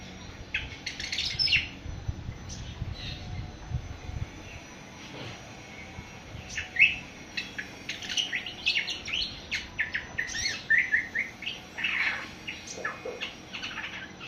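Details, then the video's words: Awar-awar, a seven-month-old bird starting to sing, delivers scattered soft chirps that build into a busy, uneven series of sharp high twitters with faint background hum. "Burung awar awar 7 bulan mulai ngriwik"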